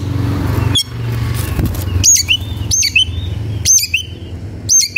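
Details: Fired-up Oriental magpie-robin (kacer) looking for an opponent: loud whistled two-part phrases, a high sweep falling into a lower note, given roughly once a second over steady low hum.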